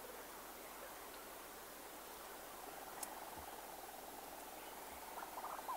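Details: Two Leach's storm petrels calling close-up from inside a burrow, giving a soft, low, rapidly pulsed churr of about four pulses a second over a steady background hiss.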